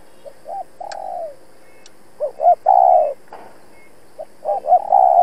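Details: Decoy spotted dove used in trapping, calling to challenge wild rivals: soft short coos, a long falling coo, then a phrase of two quick rising notes and a loud drawn-out coo, repeated in quiet surroundings.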